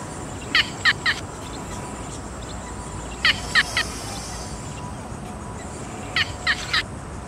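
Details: Yellow bittern giving short harsh notes in tight triplets, three quick pulses within about half a second, each group repeated roughly every three seconds over a steady background hiss.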